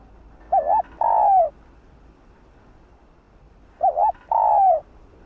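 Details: A female spotted dove coos to provoke males into calling. Two matching phrases about three seconds apart, each a wavering double note followed by a long, drawn-out coo that slides downward.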